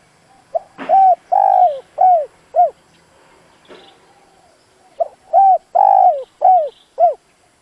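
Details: Decoy spotted dove giving its fighting coo, used to provoke wild doves into answering: two phrases of low, hollow coos, each a short note, a long drawn middle coo and falling final notes, with a pause between phrases.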